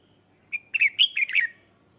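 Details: Red-whiskered bulbul lure song used to call wild birds: one short whistled note, then a quick phrase of bright warbled notes lasting about a second, clear over faint low background noise.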